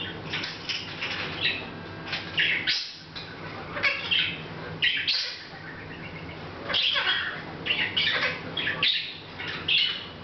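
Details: Hahn's macaw kept as a pet, chattering a little to itself without noticing the camera, August 10th 2012; continuous run of harsh, squawky and gargled notes in short clusters roughly every second or two, steady hum in background.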